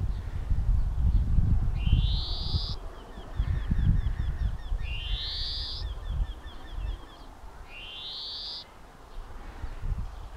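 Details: European greenfinch (Chloris chloris) singing: three long, buzzy, rising wheezes about every three seconds, with faint twittering notes between, over low rumbling background noise.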